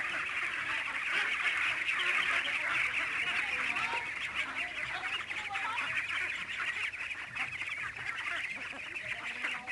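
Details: Domestic ducks on a farm of about 600 birds in San Agustin, many calling all at once: a dense, continuous chorus of overlapping raspy quacks with no pauses.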